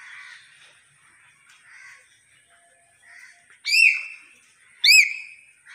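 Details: Hill myna talking: faint breathy speech-like phrases with pauses, then two loud piercing whistles about a second apart, each sharply rising and falling.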